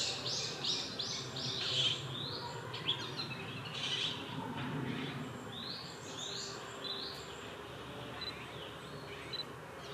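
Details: Mixed woodland in a park on 10 May 2021, where a male Japanese sparrowhawk holding prey calls in vain for the female. A quick run of high arched notes comes first, then scattered softer calls amid other birds.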